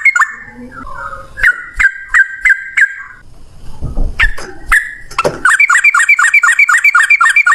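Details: Yellow-vented bulbul, in a long fighting-style song used as a lure to prompt other bulbuls to sing: scattered short whistled notes and clicks at first, then a sustained fast series of bright chattering notes.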